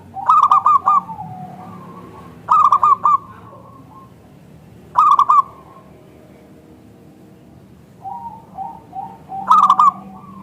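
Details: Local zebra dove giving a lure call meant to make other zebra doves answer: short bursts of rapid stuttering coos followed by a lower drawn-out note, repeated roughly every two to three seconds over a low background hum.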